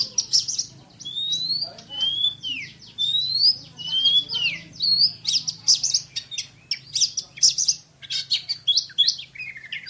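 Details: Oriental magpie-robin, a contest winner, in speedy shooting song: clear rising and falling whistled slurs give way to rapid buzzy chattering bursts repeated in quick succession.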